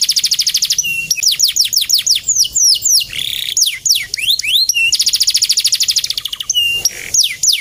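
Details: Male canary singing energetically: rapid trills of high whistled notes, fast downward-sweeping phrases, a steady mid-pitched rolling trill and buzzy rattles, changing tour every second or two, loud and clean with no other sounds.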